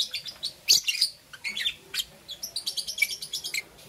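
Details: Two green opaline lovebirds chirp in the morning in rapid, shrill, high-pitched bursts, a busy run of sharp squeaky notes every fraction of a second with brief pauses.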